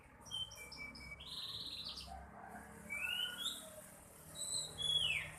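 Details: White-rumped shama in song, opening with short high whistled notes, then longer rising and falling slurred whistles, heard over a steady background hiss.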